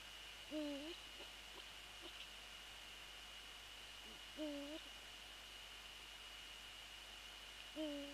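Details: Night visit by a Eurasian eagle-owl to the nest, January 2014; three short, low, hooked hoots roughly every three and a half seconds, with a steady high-pitched electrical tone in the background.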